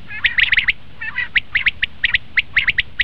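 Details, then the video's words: Common quail, recorded for hunting, gives quick clustered chirps, first a fast triple burst, then spaced single and paired sharp notes across three seconds. "batair ki awaz"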